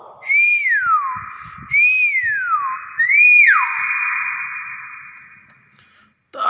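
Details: Common hill myna, its own natural voice, in a lively singing mood. It gives three loud, clear whistles about every 1.3 seconds. Each rises briefly, then slides steeply downward, and the last one trails off longer. Speech is heard just before and after.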